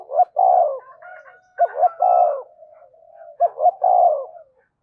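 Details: Decoy spotted dove cooing to quickly stir wild doves into calling: three phrases, each two short clipped notes then a long, low, hollow coo, about two seconds apart, with faint higher notes between.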